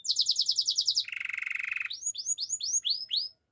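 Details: Spanish Timbrado canary song for training: a fast run of bright repeated notes, then a dense buzzy trill held about a second, then a series of rising whistled slurs repeated several times a second.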